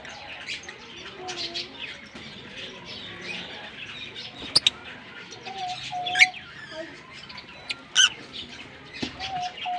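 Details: A pair of green Fischer's lovebirds singing and chirping while kissing: busy, scratchy high chatter with sharp squeaks and a few louder clicks, plus faint steady mid tones in the background.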